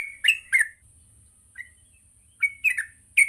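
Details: Yellow-vented bulbul singing in the morning, used to teach young birds; a few separate bubbly chirps in short clusters with gaps of about a second between, faint low hum beneath.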